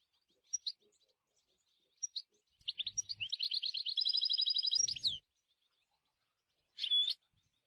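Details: European goldfinch in nature: a few sharp chips, then a long rapid rattling trill with buzzy overtones lasting about two seconds, followed by a silence and one loud clear whistled note.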